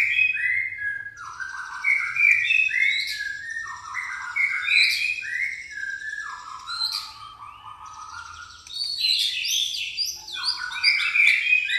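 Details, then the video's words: White-rumped shama, pastol type, with gereja tarung (fighting sparrow) song filling: busy, repeated chattering chirps and whistled phrases at a fast steady pace, phrases restarting every couple of seconds. "murai pastol isian gereja tarung"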